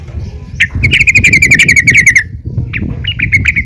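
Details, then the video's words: Yellow-vented bulbul female calling other bulbuls to sing: a sharp note, then a long fast run of buzzy chattering notes sliding slightly downward, a pause, and more brief chirps over low background rumble. "PANGGILAN BURUNG TRUCUKAN BETINA GACOR||MEMANGGIL TRUCUKAN LAIN AGAR RAJIN BUNYI"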